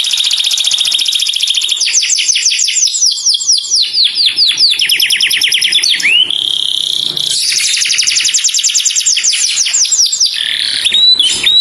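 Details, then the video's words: Canary calling to its companion, clear-voiced: a long loud sequence of rapid trills, steady high rolls and fast downslurred note series, with one rising whistle midway and a brief pause near the end. "O SOM DE UM CANÁRIO CHAMANDO SEU AMIGO, VOZ CLARA"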